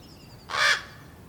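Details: Young common ravens, hatched in April and recently fledged, waiting impatiently for their parents to bring food: a single loud, harsh, raspy caw lasting about a third of a second, with faint small-bird twitters in the background.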